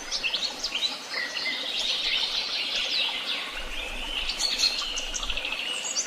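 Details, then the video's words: Continuous woodland bird chorus, overlapping high twittering phrases and short whistled notes at an even loudness, over steady faint hiss. "Sounds of beautiful birds and the tweet of birds"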